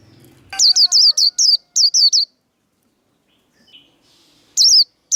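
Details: Caged Japanese white-eye giving its 'líu đấu' fighting song, used to rouse and train cage birds: a quick burst of about nine thin, high, wavering notes in under two seconds, then silence before another brief pair of notes.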